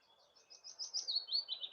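A Willow Warbler's soft, sweet phrase of quick whistled notes slipping gently down the scale like a little waterfall, calm and fluty, with faint background hiss.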